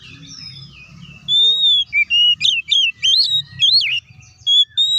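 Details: Oriental magpie-robin (kacer) in fighting-style open song, used as a lure to rouse other kacer: after a quiet start, loud whistled phrases burst out, with sweeping, rising and falling notes and quick trills in short repeated bouts.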